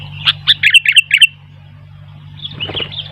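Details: Sooty-headed bulbul in lively song, while wild bulbuls nearby grow noisy in reply. A quick burst of about six bright chirps in under a second, then faint distant twittering and a rustle, over a low electrical hum.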